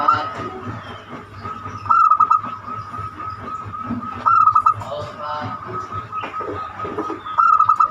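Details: Zebra dove singing in the banyumili style, used as a lure to prompt other doves to sing: three short bursts of rapid, staccato cooing notes, evenly spaced, over a steady low hum and faint background chatter.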